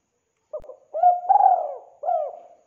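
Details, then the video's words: Spotted dove cooing for use as a trapping lure: a faint opening note, a hollow coo, a long rolling drawn-out coo, then a final shorter coo, with no background sounds. "DERKUKU TEKUKUR GACOR SUARA JERNIH, BERSIH, COCOK BUAT PIKAT/PANCINGAN"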